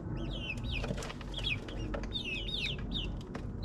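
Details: Backyard chickens in their ninth week, in a suburban yard: a run of clear, high, downward-sliding peeps, several overlapping in quick succession, over a steady low hum of background noise.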